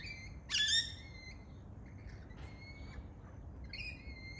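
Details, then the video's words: A lorikeet, likely a rainbow lorikeet visiting backyard pear and apple trees in the morning in South Australia, gives one loud, harsh screech, then thinner drawn-out shrill notes repeated a few times, over faint hiss. "Lorikeet Parrot Sounds"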